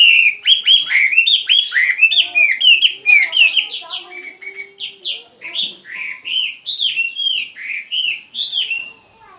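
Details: Chinese hwamei pouring out a fast, varied song of slurred whistled notes, the opening rush of loud phrases giving way to spaced, looping downslurred whistles repeated about twice a second.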